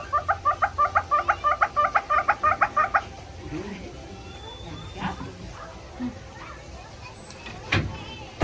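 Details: Red-billed hornbill giving a fast run of about fifteen loud, clucking notes, evenly spaced over three seconds. Quieter background murmur and a few knocks follow.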